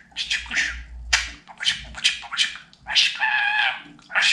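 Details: Pet budgerigar talking in a small room, its recording aimed at teaching Babacık, Aşkım and Cici kuş; quick raspy syllables run together, ending in a longer buzzy phrase with a harmonic, tone-like quality.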